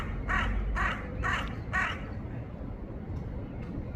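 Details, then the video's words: A crow gives four harsh, rasping caws about half a second apart, then falls silent over a low rumble of background noise. "rawan sound #rawan #rawan calling sound #crow bird crowing sounds"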